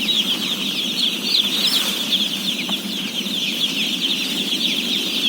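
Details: About 17,000 day-old chicks being fed produce a thick, shrill chorus of rapid overlapping peeps, with a steady low hum and one faint tap midway.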